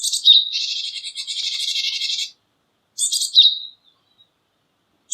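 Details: Japanese tit, Parus minor, giving harsh buzzy churring calls, a long rasping run of over a second followed by a shorter buzzy burst with a clear high note, in an otherwise silent setting.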